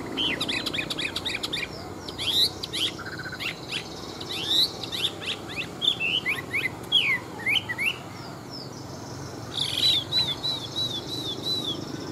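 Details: Hwamei, a large-bodied, wild-caught adult kept as a fighting bird and praised for its fine wild voice, sings a rich, varied run of quick slurred and looping notes, then a string of repeated arched whistles near the end.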